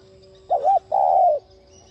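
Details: A spotted dove used as a decoy to stimulate other doves to coo gives two mellow, low coos, the first wavering and the second longer and steadier, over a faint steady hum.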